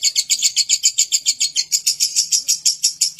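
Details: Continuous lovebird chatter in ngekek style, loud rasping pulses repeated about three and a half times per second, with a faint low hum underneath.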